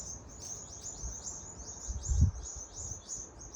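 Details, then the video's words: Rapid high chirps from several birds chased by a rat in Adelaide, Australia, run throughout, with a loud low thump near the middle and rumbling handling noise beneath. "Birds loud chirping sound coz of a rat chasing them"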